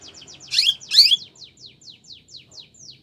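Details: Canary singing in Spanish Timbrado style for training canaries: a string of quick, soft descending notes repeated about four times a second, with two louder bursts near the start.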